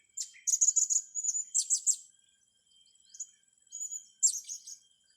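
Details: Young blue-crowned hanging parrots being trained: very high, thin chirps and buzzy notes in quick clusters, a fast run of about six notes, then short pauses and a few more scattered bursts.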